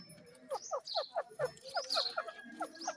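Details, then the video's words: Francolin (teetar) kept for breeding: a rapid run of short, harsh, ringing notes, roughly four or five per second, with scattered thin higher chirps and faint background noise. "teetar ki awaz"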